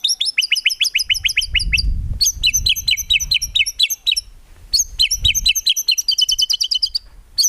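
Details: White-rumped shama song from a songbird training recording, full of 'tembakan' fill with no 'ngukluk'; long runs of quick, bright, high notes in tight repeated groups separated by short gaps, with faint low rumble beneath.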